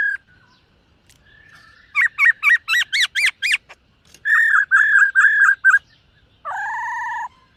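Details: Dancing black-throated laughingthrush training its voice with morning song: a quick series of bright bouncing whistles rising in pitch, a row of level ringing notes, then a harsh buzzy call.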